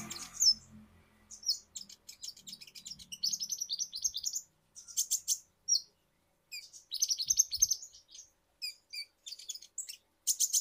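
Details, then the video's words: Van Hasselt's sunbird singing vigorously (lure recording to prompt other birds to sing), giving very high, thin chittering notes in quick bursts, with sharp tinny trills and brief pauses between phrases. "Kolibri Ninja Gacor"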